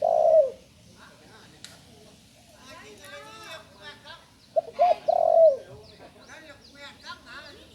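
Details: Young spotted dove that has only recently learned to call, giving low hooting coos: one phrase at the start, then at about five seconds two short notes and a long falling coo. Other birds twitter faintly in between.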